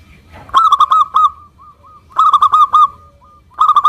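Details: Zebra dove of a local strain singing as a lure for other doves: three bursts of four or five quick, bell-like hooked coos, separated by short pauses with a faint trailing note or two.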